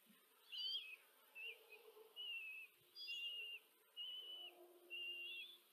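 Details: Common kestrel chicks at a nest in Tiszanagyfalu, Hungary, on 14 July 2023, four young being fed by the female: drawn-out, wavering, high trilling whines, about six calls each lasting half a second, with short gaps between them.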